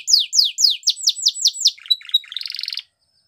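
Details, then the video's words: Belgian canary training song: loud downslurred whistles repeated about four per second, then short chips and a buzzy rattling trill before silence. "The Most Magical Canary Training Song | Belgian Canary"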